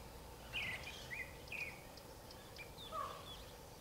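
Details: Creamy-bellied thrush (Turdus amaurochalinus) sings short, varied warbled phrases, mostly high and scratchy with one lower slurred note, over a steady background hiss.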